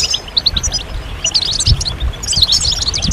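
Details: European goldfinches calling together as a stimulation recording for singing males: scattered tinkling chirps becoming a busier twitter, high and bright, with low rumbling noise beneath.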